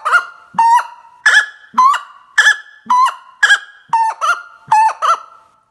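A common gallinule gives a steady series of nasal, honking clucks, about two per second, each note harsh and slightly rising, in an otherwise quiet setting.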